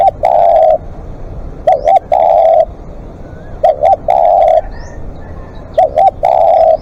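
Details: Spotted dove calling long during live decoying: four phrases of two quick coos and a sustained coo, roughly every one and a half seconds, with faint high chirps of other birds.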